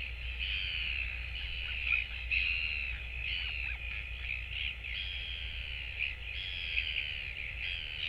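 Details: Royal albatross chick alone at the nest, with no parents returning, on 24 July 2024, recorded by a nest camera. It gives steady whiny harmonic calls in runs of about a second with short gaps, over a soft low rumble of wind.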